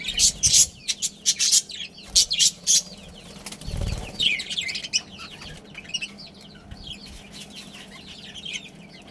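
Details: A Budgerigar family around a breeding pair: a run of loud, sharp, clipped bursts opens the recording, then softer twittering chirps and warbles carry on to the end.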